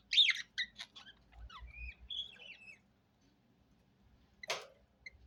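A budgerigar gives bright, scratchy chirps and warbling twitters, ending in a sharp rasping burst.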